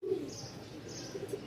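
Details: Pigeons kept for sale at a pigeon market in Mirpur, Dhaka, giving low, soft cooing notes in short pulses over a hissy background.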